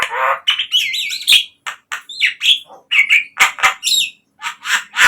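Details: Javan myna (jalak kebo) lure song for captive birds: varied mix of wavering whistles, harsh rasps and chattering notes in a continuous, uneven stream.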